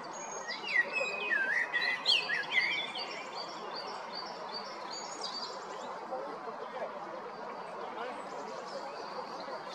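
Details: Male common blackbird from Jarun or Prečko, Zagreb, Croatia, spring 2022: one loud phrase of looping fluted whistles followed by a scratchy high flourish, then steady background bird chatter and hum.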